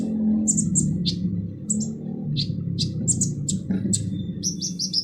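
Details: Kolibri ninja sunbird giving harsh song meant for training other birds: high sharp chips and descending slurs in short bursts over a loud low rumble and hum.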